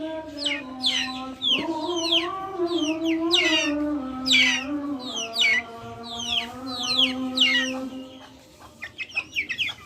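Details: Backyard chickens calling with repeated high, falling peeps over a sustained, slowly wavering low tone rich in overtones; the tone fades near the end, leaving quicker, softer peeps.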